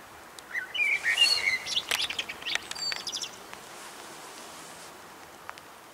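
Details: At 4:15 a Eurasian blackbird delivers a short run of low fluty notes climbing into a cluster of sharp high twitters, then the clip settles into faint hiss with an occasional distant chirp.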